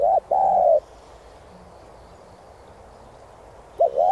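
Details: Spotted dove giving a driving coo to rouse decoy birds. A short note and then a long, smooth, slightly arched coo, a quiet pause, then another two-note start near the end.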